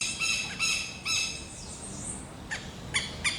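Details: Southern lapwing with chicks calling: loud, harsh, harmonic-rich notes, three in the first second, then a pause with a faint sweeping whistle, then three more sharp calls near the end.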